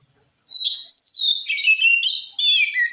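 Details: Oriental magpie-robin in full active song, played to make other magpie-robins answer: clear whistled notes sliding down and up, mixed with short scratchy bursts, in quiet surroundings.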